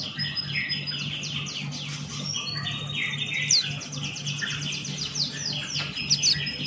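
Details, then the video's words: A male Buxton's white-eye delivers continuous busy song of high slurred chirps and warbled phrases, rather evenly loud with a few sharp squeaks. A steady low hum and background noise run beneath. "Burung Pleci Buxtoni Gacor Ngalas Buka Paruh"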